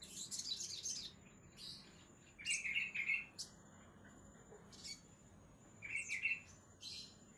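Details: Sogon songbird giving separate bursts of high chirps, with two rapid, lower rattling trills about three seconds apart and brief, sharp high notes between them.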